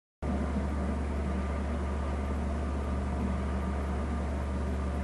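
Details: After a brief silent start, a continuous idling-vehicle drone and low hum fill the recording, with no animal voices.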